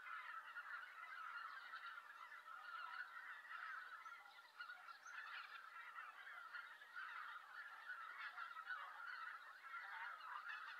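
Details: Wild Greater White-fronted Geese coming in to roost on a November day in Japan, a large flock giving a dense, continuous chorus of overlapping honks and yelps with no pauses.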